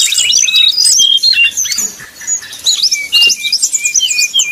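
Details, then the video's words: Brown-chested jungle flycatcher 'nyuling' song, used as a lure to make rivals sing; crisp high whistled notes and quick upslurs in short phrases, pausing briefly around two seconds before resuming with rapid varied notes. "srdc nyuling bikin lawan jadi panas penuh emosi pancingan srdc tercepat bikin srdc cepat ngeplong"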